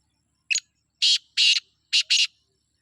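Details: Black francolin from Sindh giving its rasping phrase of five notes: one brief chirp, two drawn-out scratchy bursts, then a closely spaced pair of grating notes, with nothing else audible.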